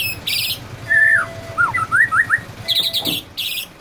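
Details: Male white-rumped shama imitating a canary, alternating loud high buzzy bursts with a sequence of fluted whistled slurs that rise and fall, on a quiet background.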